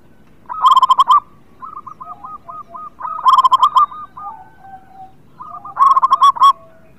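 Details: Local zebra dove singing steadily, used as a lure to get reluctant birds singing; three loud bursts of quick, rolling coo notes about every two and a half seconds, with softer cooing doves answering in between.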